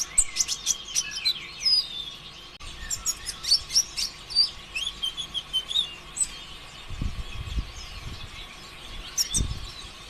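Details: Busy, unbroken olive-backed sunbird song used to spur other sunbirds to sing: high, rapid chittering notes and thin rising slurs packed closely together, with a few soft low thuds in the background.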